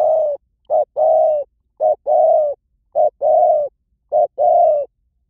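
A Spotted Dove coos in a steady phrase of one short note and one longer, mellow note, repeated about once a second. No other sounds are heard.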